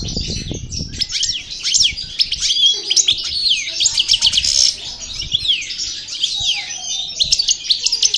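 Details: European goldfinch (parva) from El Bordj, newly out of moult, pouring out a long stream of high, bright twitters, rattles and falling whistles, almost unbroken; a low rumble sounds briefly at the start.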